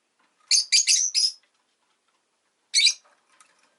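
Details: A pet rosy-faced lovebird (Agapornis roseicollis) gives four harsh, shrill chirps in quick succession, pauses, then adds two more sharp squeaky notes; quiet background.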